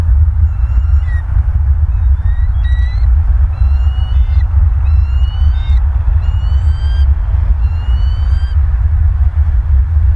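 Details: Bald Eagles at their nest in Southwest Florida, November evening; repeated thin high piping chatter, each burst a string of quick rising squeaky notes, with strong low wind rumble throughout.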